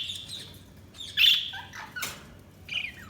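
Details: Budgerigars chirping with short, scratchy high notes, a few descending whistled slurs and brief gaps between calls.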